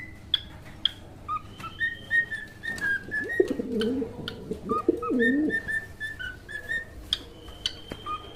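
A cockatiel sings a run of short, clear whistled notes with clicks, over a lower warbling coo.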